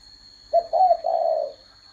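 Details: One mellow, hollow coo sequence from a spotted dove: a brief opening note, a quavering middle note and an extended descending tail. A continuous high-pitched whine lies behind it.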